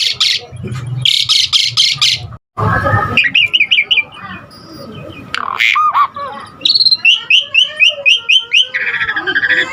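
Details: Asian pied starling in full, varied song for luring and training starlings: a few harsh rasps, then a medley of chattering, clear whistles, squeaky up-and-down notes and a buzzy trill.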